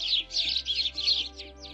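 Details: House sparrow in the UK giving its unsophisticated song of simple chirps, a quick run of about eight plain, bright chirps at roughly four a second, over a faint steady musical hum.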